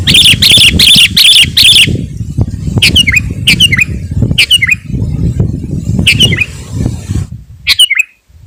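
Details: Sooty-headed bulbul song, used to lure wild birds and provoke rivals: five harsh, buzzy bursts in quick succession, then short whistled notes sliding down, spaced about a second apart, over a steady low rumble.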